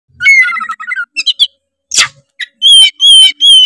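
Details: Oriental magpie-robin (kacer) singing loudly, used as a lure to make rival magpie-robins sing; varied whistled phrases, harsh rasps and a sharp burst, ending in three bright, level whistles repeated about every half second.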